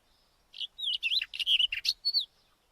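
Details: Rapid White-tailed wheatear warble, about 1.7 seconds long: wavering whistled notes interspersed with harsh scratchy bursts, finishing with a clear downslurred whistle.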